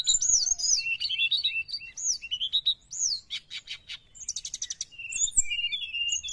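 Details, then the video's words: Sooty-headed bulbul song used as a lure for wild birds: bright whistled phrases with rising and falling slurred notes, interspersed with dense buzzy chattering bursts, fast and irregular. "srdc gacor penarik burung bahan"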